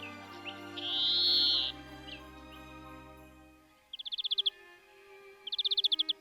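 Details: European greenfinch (Chloris chloris) in the spring nesting season gives a long, nasal, buzzy wheeze, then two quick bursts of rapid, ringing trilled notes, with soft low music underneath.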